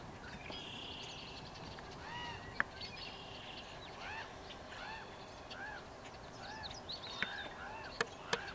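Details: Two common raven fledglings in trees near Strasbourg, Saskatchewan, 9:15 a.m. on June 28, 2018, as two adults bring food: harsh, nasal, arching begging calls in repeated, overlapping bursts over a steady hiss with a few sharp clicks.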